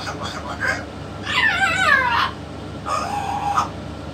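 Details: Yellow-naped amazon parrot talking. A long, drawn-out, descending voice-like phrase with rich harmonics is followed by a flatter, buzzy utterance, after softer chatter, all over a low continuous hum.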